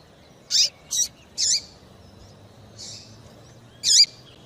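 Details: A female double-collared seedeater (papa-capim) calling a lot, giving five thin, high chips at irregular intervals, several ending in a brief downward slur.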